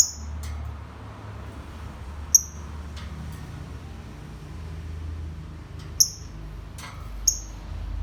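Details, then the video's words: Lovebird uttering isolated, piercing high chirps, each brief with a slight downward tail, several seconds apart and unevenly timed, plus a few soft clicks over a low steady room hum. "Kicau Burung Lovebird"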